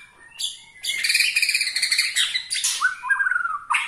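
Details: A White-rumped shama singing in Bornean style, said to provoke other shamas, gives a rich, fast medley of clear whistles, buzzy chatters and rapid trills, ending on a sliding whistled phrase.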